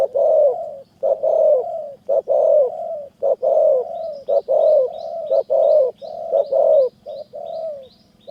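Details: Spotted doves in Thai mountain forest at Kanchanaburi, caller and caged decoy answering each other. Dense, overlapping deep rolling coos and short clipped notes run continuously, with faint high chirps and a low background hum.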